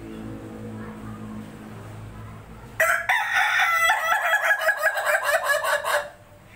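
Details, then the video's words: A laughing chicken (ayam ketawa), used as a lure sound, crows for about three seconds: a bright, harsh crow breaking into rapid stuttering pulses like cackling laughter, after a low background hum. "pancingan suara ayam ketawa"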